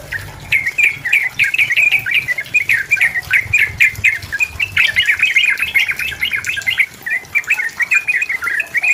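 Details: Yellow-vented bulbul in loud, busy song meant to provoke an opponent into answering. Rapid bubbling chirps pour out without pause, with a faint low hum behind.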